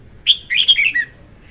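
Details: Female red-whiskered bulbul song for luring birds into traps: a bright high note followed by a rapid sequence of four liquid whistles falling in pitch, a single clean phrase.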